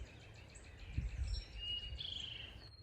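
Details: Eastern Towhee, heard in a backyard, sings its "drink your tea" song: a couple of clear, high notes followed by a quick, buzzy trill, over low rumbling background noise.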